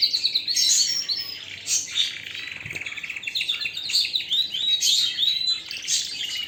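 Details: A canary delivers a continuous loud song of fast trilled phrases, buzzy rolls and clipped high chirps, shifting between trill types every second or so, with a faint thump near the middle.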